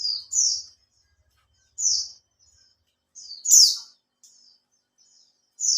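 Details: Caged Oriental white-eye kept for three months and starting to open its tail, giving lure song to draw other birds into singing: short, very high, slightly buzzy chirps in separate bursts with silent gaps between.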